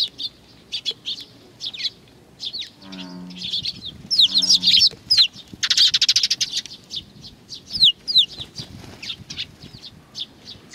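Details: Sparrows flocking to be fed at Tenmangu shrine in Nakanoshima, 21 June 2020; dense rapid chirping, about three notes a second, with a busy burst mid-way, plus a brief low harmonic call early on.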